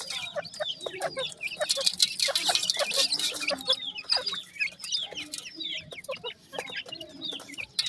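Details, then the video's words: Rapid, high-pitched chirping from grey francolin chicks, brief descending notes tumbling over one another at an irregular pace, with bright crackling noise and clicks loudest in the first half. "grey francolin chicks speech,sweet voice of a baby pheasant"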